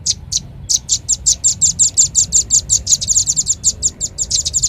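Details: Lure call of the velvet-fronted nuthatch for drawing in birds: two short high chips, a pause, then a long steady series of piercing, thin notes in quick succession.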